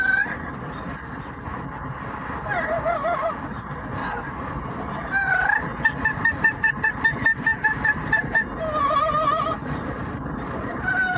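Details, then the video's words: Pet yellow-naped amazon parrot singing loud, wavering, opera-like tones during a commute, with sustained notes and a rhythmic pulsing stretch midway, over steady road noise. "the Parrot singing opera and making noise"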